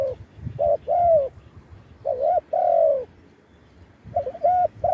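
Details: Khan yon cooing from a spotted dove set out as a branch decoy to draw wild doves, recorded live: three soft hollow phrases, each a short note or two followed by a longer, slightly falling coo.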